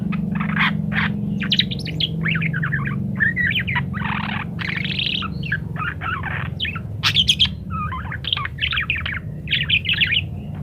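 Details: Parakeet in full chattering song with many variations, used to train munias: an unbroken ten-second stream of buzzy warbles, squeaks, clicks and rising chirps, loud and busy, over a low rumbling background.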